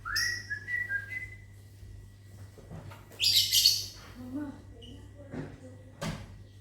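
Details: Lovebirds in a small aviary in the morning, answering a person's whistle: a human whistle at the start, then a loud raspy chattering burst and a sharp high chirp, with faint other sounds; low hum in background.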